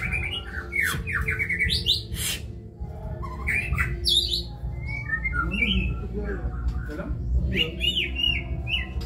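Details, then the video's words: Rich, fast kebyok song from a white-rumped shama: rapid rising and falling whistles, sharp high chips and clear slurred phrases pouring out almost without pause, with low hum in the background. "Murai batu (Kebyok)"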